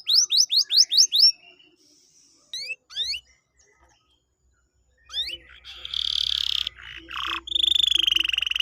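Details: Canary song played to lure a quiet canary into singing. Rapid upward-sweeping whistles are repeated in a quick series, followed by a pause and a few more sweeps. The song ends with a sustained, rattling, buzzy trill.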